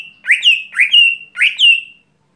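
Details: Lesser green leafbird (Chloropsis cyanopogon) in its everyday song: three quick, clear whistled phrases, each a bright upward sweep levelling into a sustained high note, over about two seconds.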